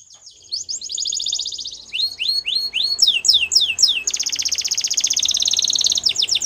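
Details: Singing Waterslager canary with varied tours: a fast buzzy trill, then rhythmic falling whistled notes, then a long rapid rattling roll, over faint low background hum.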